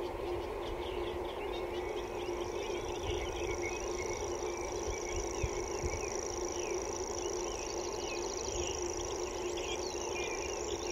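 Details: Common grasshopper warbler (Locustella naevia) song: a high, dry, unbroken reeling trill like a grasshopper, running without pause throughout. Other birds chirp over a low rumble and a steady hum.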